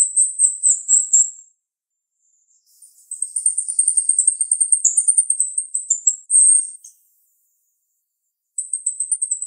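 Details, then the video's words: Sharp-voiced female jalak rio-rio starling: high rapid trills in bursts, a long chattering run of shrill pulses, brief louder notes and silent gaps between phrases. "Jalak RIo Rio Betina suara tajam"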